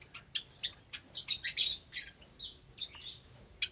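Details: Aviary Java sparrows with new chicks, Sunday morning, 8 May 2022; dense, bright chirping with squeaky tweets and a thin drawn-out whistle near the end, several birds calling together.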